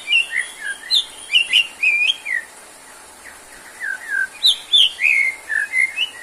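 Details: White-rumped shama in lively, full song, offered as therapy for shamas low in stamina: clear whistled notes, slurred up and down, delivered in quick bursts of four to six. The bursts are split by a short pause midway, over a faint steady hiss.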